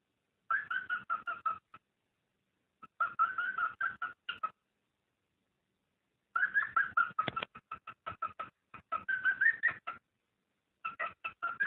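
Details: Cockatiel mating call, played to stimulate breeding: bursts of quick, clipped whistled notes at a steady mid pitch, about ten per burst, separated by silent gaps of one to two seconds.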